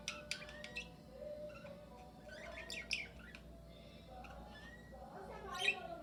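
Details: Several cockatiels in a shared aviary with budgerigars, singing their natural calls and trying to whistle. Scattered short squawks and chirps come from many birds, with one brief level whistled note near the middle over a constant low hum.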